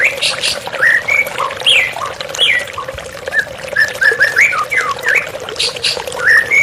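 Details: White-rumped shama singing with running water behind, a therapy recording: varied whistles, upward and downward slurs and short chirps in lively bursts over a constant low hum.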